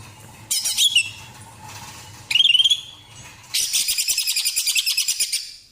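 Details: Female greater green leafbird, a fighter bird, giving three bursts of song: a rising whistled phrase, a second upslurred phrase, then a long fast rattling series of harsh repeated notes.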